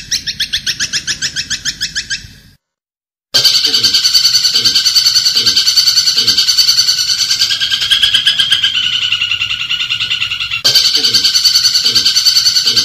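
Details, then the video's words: Kuntilanak bird song meant for training cendet, murai batu and kacer: rapid, evenly repeated high chirps in a continuous stream, broken by a short silence after two seconds, with faint lower descending strokes beneath. "MASTERAN KUNTILANAK Jernih"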